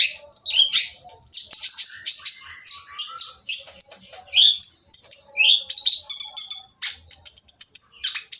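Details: Oriental magpie-robin with a coarse voice, sung to provoke others to join in: a dense, nearly continuous run of high scratchy chips, buzzy rattles and brief whistled slides.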